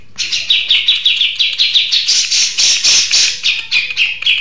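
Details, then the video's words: Grey-cheeked bulbul, a caged bird in steady, long-running song: a fast stream of loud, bright chattering notes, about six per second, merging into a dense burst midway, over a faint low hum. "Burung Cucak Jenggot Mapan Gacor ( Long Shot Bird Song Cucak Beard )"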